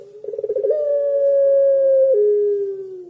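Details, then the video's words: Barbary dove in pelung style: a stuttering run of quick pulses flows into a long, smooth, steady coo held nearly two seconds, then stepping down to a lower ending. "Suara Burung Puter Pelung"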